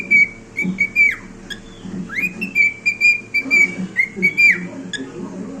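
A cockatiel sings a string of clear, level whistles with sudden upward and downward swoops and a few chirps, over a low indoor hum.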